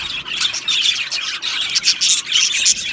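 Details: Australian budgies singing in an aviary colony. Pulsing high chirps and squeaky warbles come in quick overlapping bursts, loud and lively throughout.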